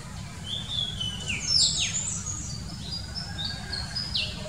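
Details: Oriental magpie-robin singing in the morning: a varied run of clear whistles and sharp down-slurred notes, high and irregular, over a low rumble of background noise.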